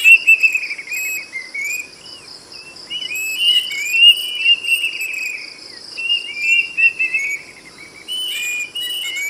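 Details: Loud ringing whistles from a plaintive cuckoo in repeated runs of clear notes, pauses between phrases, accompanied by a constant high-pitched insect drone.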